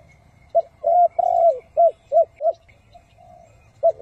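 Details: Spotted dove used to lure wild doves into traps, hau-thuc-gu style: irregular low coos, a long hoot followed by several short quick notes, a pause, then another coo beginning.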